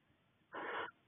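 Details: Barn owl male at a nest box in February 2020, bringing voles to the female as courtship feeding before egg-laying; one brief, rough, breathy screech about a third of a second long against a quiet background.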